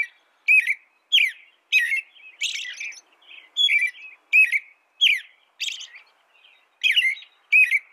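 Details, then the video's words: American robin caroling, a series of loud, slurred warbled phrases spaced about half a second apart, with a few softer, scratchier notes in between. "canto de robin americano AMERICAN ROBIN"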